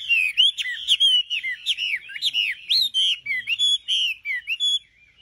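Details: Nightingale in full song, a continuous run of bright, looping whistled notes delivered rapidly and almost without pause, ending abruptly in near silence.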